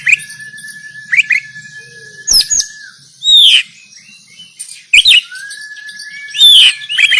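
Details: Oriental magpie-robin fighting song, recorded by Android phone in Banten as training material for kept birds; long level whistles broken by sharp clicks, loud slurred downward whistles and rising chirps.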